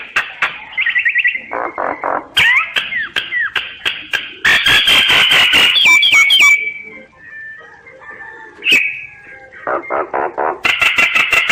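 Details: Common myna delivering a varied, jumbled song: gurgling and rasping phrases, bursts of rapid clicks, and a few slurred whistles, with brief pauses between passages.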